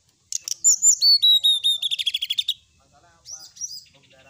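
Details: Brown-chested jungle flycatcher singing, used as a lure to provoke rival birds: a fast, lively run of sharp notes that accelerates into a dense descending trill, then a pause and a few softer high chirps.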